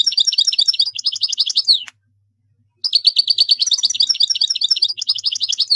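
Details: European goldfinch singing a fast, twittering song of bright, high tinkling notes in two long bursts with a short pause between.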